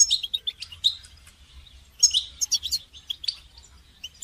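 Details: Goldfinch song used for training songbirds: rapid high twittering in dense bursts, bright chirps and short trills tumbling together, with a louder busier phrase after a brief quieter gap.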